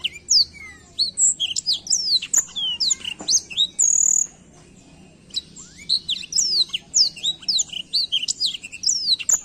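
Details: Black-throat singing a long run of rapid, high whistled notes and sharp slurred chirps, pausing around the middle before resuming with more quick twittering phrases, with faint low background noise.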